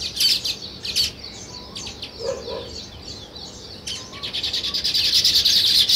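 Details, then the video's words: Sparrow chirping near weaver birds building a nest: dense high chirps in bursts, building at the end into a rapid, steady run of sharp repeated notes. "Sparrow Chirping Sounds"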